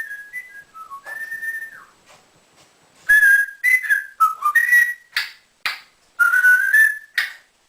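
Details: Pet male African grey parrot, indoors, trained to whistle like a builder: soft falling whistled notes at first, then a run of loud, sliding whistles broken by brief sharp bursts.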